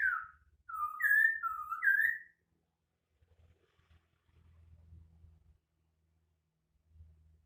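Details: A white-crested laughingthrush gives a unique song of several short, clear whistles alternating between lower and higher pitch. Silence follows with a faint low hum.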